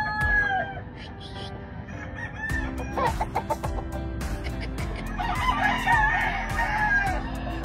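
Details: Grey Kelso Albany cockerel at a farm: a brief crow opens, then a longer wavering crow in the second half, over continuous beat-driven background music.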